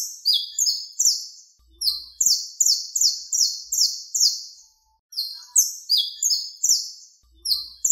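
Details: Saffron finch (Sicalis flaveola) contest song for teaching birds or calling others of the species: fast bursts of high, bright chirping notes, each slurring downward, strung into long rolling phrases with a brief pause midway.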